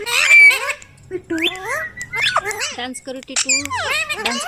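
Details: Pet ringneck parrot mimicking speech, with wavering voice-like syllables, sliding whistles and a few sharp squawks, delivered in short phrases with small gaps between them.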